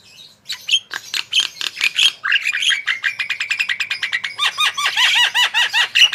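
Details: Javan myna in full song, used as a lure recording to prompt other birds to sing. A fast, dense run of harsh chirps and bright whistled notes comes in quick succession, ending in a string of repeated rising-and-falling notes.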